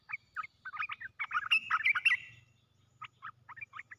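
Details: Caged red-whiskered bulbul decoy delivering a rapid cluster of sweet, jumbled whistled notes, building to a bright rolling phrase, then a brief pause and a few separate chirps.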